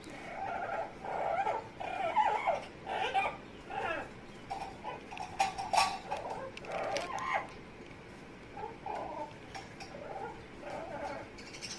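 An Amazon parrot makes a run of odd chattering, squawky and whimpering noises in short bursts, mostly mid-pitched, with pauses between them.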